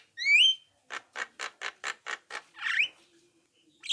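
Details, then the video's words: Playback lure of a Javan myna meant to provoke other mynas into calling: one loud rising whistle, then seven evenly spaced rasping notes and a longer harsh squawk, with a brief final note. "apapun jalaknya jika diputarkan suara jalak kebo ini pasti langsung nyaut"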